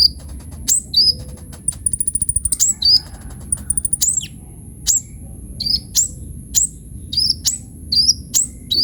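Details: Sunbird known as kolibri ninja in energetic song used to train caged birds: high, sharp chirps falling in pitch repeated about every half second, with one fast buzzy rattle early on, quiet low hum beneath.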